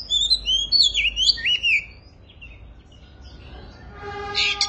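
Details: Oriental magpie-robin at the start of its singing season, singing piercingly: two seconds of rapid, varied high whistles, slurred up and down, then a quiet pause before a short burst of harsher notes at the end.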